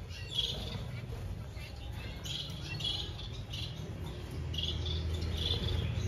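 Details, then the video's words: Society finches kept for breeding: short, high chirps in scattered bursts, some doubled, rising and falling in loudness over a steady low rumbling hum. "Reproduction Society Finches - Chim sắc nhật sinh sản"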